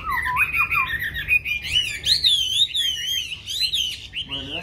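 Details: Chinese hwamei song of rich, wavering whistles sliding up and down, with long sweeping phrases and trilled ornaments, over steady low background hum, ending in a lower squawky note.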